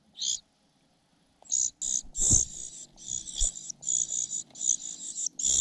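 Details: Cuckoo chick raised by a foster mother, begging and failing to snatch food before pecking her in frustration. A sharp high hiss leads to a near-continuous stream of shrill, wheezy begging notes with soft thuds underneath.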